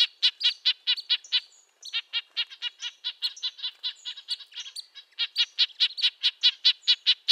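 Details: Rapid run of short, nasal tooting notes from a red-breasted nuthatch, a brief pause after the first second, then the notes resume at a steady fast pace.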